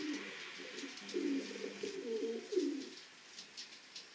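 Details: Racing pigeons inside their loft, a series of low, throaty rolling coos across the first three seconds, with light scratching and rustling in the background.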